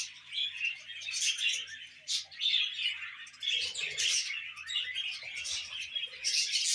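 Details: Young pet budgerigar, tame and spoon-fed, keeping up a rapid stream of high scratchy chirps and squeals, with brief low clatter of handling midway.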